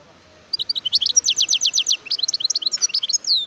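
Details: Wild European goldfinch, recorded in Algeria in 2018, delivers a continuous, fast, liquid twittering song of high chirps, short rapid trills and tinkling notes, ending on a descending slurred note.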